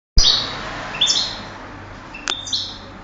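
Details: European goldfinch entered in a 2008 singing contest: after a sharp opening click, a few scattered high, thin twittering notes and brief bright trills, with pauses between them.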